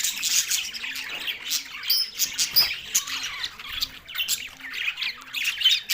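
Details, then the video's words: Several green budgerigars chattering contentedly during a meal: busy, high twittering and raspy squawks, with sharper chirps standing out over a steady babble. "Green Charging Meal Australian Budgies happy Parrot voice"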